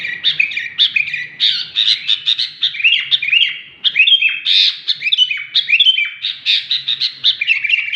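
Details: Sooty-headed bulbul in lively song: a long, varied chatter of bubbling, slurred whistles and short chirps, rising and falling in quick phrases without pause.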